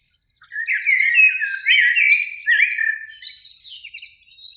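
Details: Eurasian blackbird song on a spring evening, beech tree by a lake, two birds singing; soft ticking notes lead into a flowing series of mellow, fluty whistles ending in a thinner high twitter.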